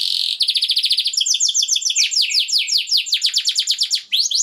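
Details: Male canary song used in mating stimulation, a dense run of fast repeated downward-sweeping notes, several shifting tours of rolling chirps at high pitch, with no other sounds.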